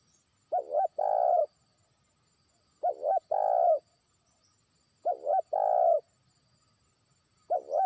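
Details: Decoy-trained spotted dove beginning to call a distant opponent: repeated phrases of two clipped coos then one long rolling croon, about every two and a half seconds, with a quiet background.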